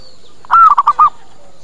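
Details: Zebra dove lure call, used so birds arrive quickly and reply: one phrase with a faint opening note, a sustained coo, then three short clipped coos, background otherwise quiet.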